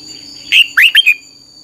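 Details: Red-whiskered bulbul giving a brief fiery 'căng lửa' phrase meant for training birds: four bright whistled notes, the second sweeping upward, with a constant high-pitched tone behind.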